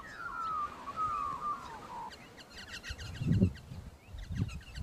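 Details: A bluebonnet parrot in Australia gives a wavering whistle that slides downward for two seconds, then a rapid run of short, high chips. Low thumps of wind or handling come through.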